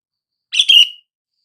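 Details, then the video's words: A single sooty-headed bulbul call, used to make silent bulbuls respond: one quick bubbly phrase of rapid notes trailing into a short downward whistle. "SUARA PANGGILAN BURUNG KUTILANG , TERBUKTI AMPUH BIKIN KUTILANG BISU LANGSUNG RESPON"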